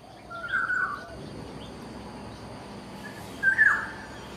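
Black-naped Oriole giving two short, fluty whistled phrases about three seconds apart, over a steady low background hiss.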